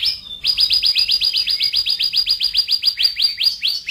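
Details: National champion 'gacor' canary singing in one of several styles ranging from fast 'ngebren' to slow. After a short pause comes an even, rapid trill of downslurred chirps, about four per second, holding steady to the end.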